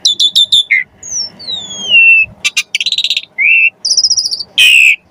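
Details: Asian pied starling in a lure recording meant to spur birds to sing, with a fancy varied fill: rapid chirps, long descending whistles, buzzy rattling bursts and short trilled notes follow one another.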